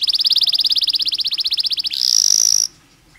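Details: Canary song used as a stimulus for stressed canaries: a fast pulsing high trill, then a sustained shrill buzzing note that stops abruptly into silence.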